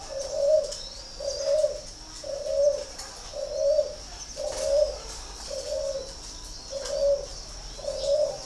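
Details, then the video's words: Spotted dove from a northern Vietnam bird farm in Ba Vì, Hanoi, producing eight evenly spaced short coos, each a brief warm hoot about a second apart, over a steady faint high-pitched whine. "chim cu gáy hay 88 miền bắc"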